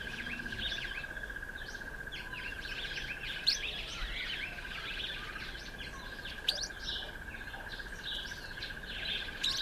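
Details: Streaky-headed seedeater, also called streaky-headed canary, eating sunflower seeds; bursts of short, high, thin chirps and twitters crowd together, some louder sharp notes standing out, over a steady, shrill insect trill that runs without a break.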